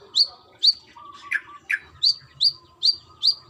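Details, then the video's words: Brown-throated sunbird female calling for a male with loud, high, sharply slurred chirps repeated every half second, broken midway by two lower, rougher notes. "BURUNG KOLIBRI KELAPA TROTOL GACOR || KOLIBRI MANGGAR GACOR"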